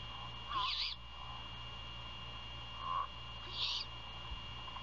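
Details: Great horned owl at a Savannah, Georgia nest at 1:38 AM, 27 February 2022, prey handover and feeding in the night; harsh hissing screeches roughly every three seconds, some with a brief lower tonal note, over a steady background hum.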